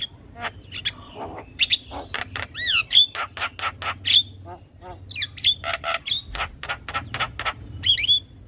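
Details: Energetic Javan myna song to prompt other mynas to reply: dense bursts of sharp clicks and buzzy notes interwoven with rising and falling whistled chirps, run together with almost no pause.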